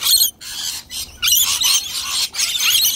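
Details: A flock of wild rainbow lorikeets crowding a nectar dish to feed; harsh, high-pitched squealing screeches in bursts of about half a second to a second, separated by short quieter pauses.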